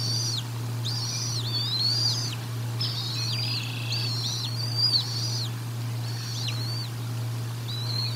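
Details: Bald eagles feeding at the Decorah North nest, nest camera recording from 04 01 2022: runs of high, thin, downward-arching whistles, several in a row, then pauses, over a steady low hum.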